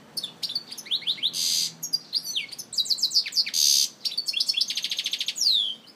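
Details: European goldfinch from Algiers singing a rich, fast medley of high twittering notes, rising sweeps, and dense buzzy trills. Bright rattling bursts appear at about 1.5 and 3.7 seconds, and a downslurred whistle closes the phrase.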